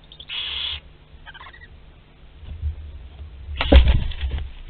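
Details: Barn owl in a nest box at Théding on 27 April 2021, live prey moving about inside. One rasping hiss is followed by softer clicks, then wing flapping and thumping scuffles in the box.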